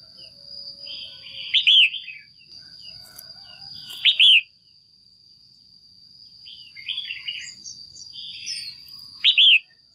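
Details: Caged female red-whiskered bulbul calling to stimulate a male or for pairing: loud slurred double chirps repeated several times, mixed with softer chattering phrases, over a steady high electronic whine.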